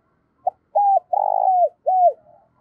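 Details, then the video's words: Morning coo of a spotted dove calling the flock, a quick phrase: a brief opening note, a short coo, a long trilled purr and a drawn-out falling coo, clear with no background noise. "Chim Cu Mồi gáy gọi bầy buổi sáng"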